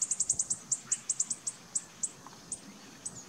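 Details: A Bananaquit (Coereba flaveola) gives very high, thin, sibilant notes, first in a quick run of about six, then spaced further apart. The background is quiet.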